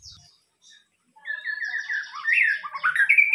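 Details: White-rumped shama lure song: after a brief quiet, a fast run of rich warbling notes builds in volume under a thin high trill, ending on a held whistle.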